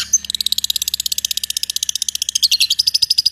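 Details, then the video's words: Long-tailed shrike producing a fast rolling trill of evenly spaced sharp notes for over three seconds, ending in high thin whistles, with a faint low hum beneath. "Cented Gacor Roll Tembak Full Materi Speed Rapet"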